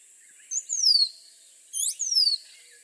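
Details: Rose-throated becard singing two thin, high whistled phrases, each a short upward flick followed by a long sliding downslur, about a second apart, over a quiet background.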